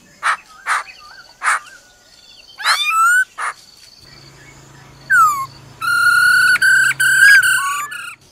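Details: A fired-up female laughingthrush gives short harsh bursts, then rapid drawn-out nasal "ro ro" notes with brief whistled slurs, over a faint low electrical hum.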